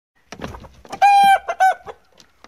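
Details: Barnyard rooster on a cage-free, pasture-raised farm in spring, defending his territory and hen against a rival rooster from another part of the barn. Scattered clucks build into two loud, harsh, ringing squawks, the first longer, the second shorter.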